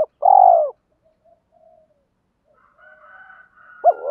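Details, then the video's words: Spotted dove used as a decoy to lure wild birds, male and female calling. One long, loud, slightly falling coo, soft distant coos after it, and another phrase beginning at the end. "tiếng chim cu gáy kích bổi nhanh nổi"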